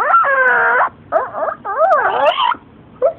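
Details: A talkative pet female yellow-naped amazon, coaxed by her owner to talk, chatters in three warbling, voice-like bursts that rise and fall in pitch, ending with one short hoarse note.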